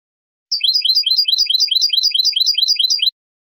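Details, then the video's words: European goldfinch giving basic song in a fast, bright, high-pitched run of twittering, tinkling notes repeated for about two and a half seconds, in quiet surroundings. "CANTOS BASICOS DEL JILGUERO ** BOLI BOLI"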